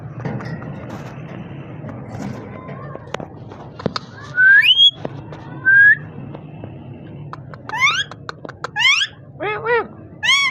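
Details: A parrot giving short rising whistles near the middle, then a burst of quick upward-sweeping whistled notes toward the end, over a low indoor hum with faint clicks.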